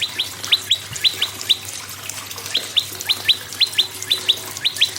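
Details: Prinia singing as a lure for other birds, repeating crisp high double chirps that drop sharply in pitch, spaced irregularly, over a constant low background hum.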